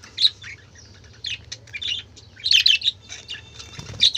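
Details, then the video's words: Noisy budgerigar chatter: sharp high chirps and squeaky warbled bursts, a quiet gap, then clustered scratchy notes toward the end, with a low background hum. "বাজিগর পাখির ডাক"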